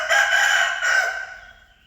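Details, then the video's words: A single rooster crow fills the recording, loud and raspy from the start, with a second surge midway before fading gradually into a thin, sustained tail. "The sound of a rooster crowing เสียงไก่ขัน ไก่ขัน သဵင်ၵႆႇၶၼ် ၵႆႇၶၼ်"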